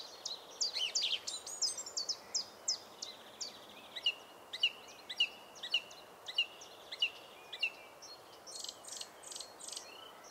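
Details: Singing Song Thrush, a brown thrush with spotted breast, in park woodland: rapid scratchy phrases, then one bright note repeated about nine times at even intervals, closing with a burst of high chattering.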